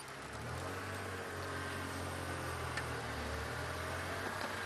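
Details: A vehicle engine rumbles steadily at low pitch, with no animal calls audible. Only the engine drone and faint background hiss are present.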